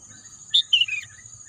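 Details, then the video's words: Bird singing in a green natural landscape: a crisp high note, then a tumbling series of lower chirps falling in pitch, over a thin steady insect buzz. "bunyi kicauan burung"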